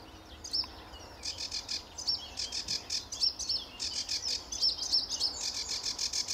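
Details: Sedge warbler singing heartily in early morning sun at RSPB Fowlmere, July 2013; after a quiet start, a quick series of scratchy, rasping notes with interspersed thin high whistles, repeated rapidly.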